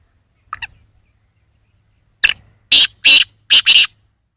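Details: Black francolin giving a faint opening note, then a short sharp note followed by three loud, rasping, grating notes, the final one doubled, with silence around them.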